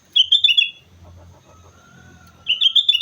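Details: Vigorous sooty-headed bulbul song recorded on Mount Slamet: a fast rolling string of bright, chortling whistles, a brief gap with low rumble and a thin steady tone, then another rapid bubbly run.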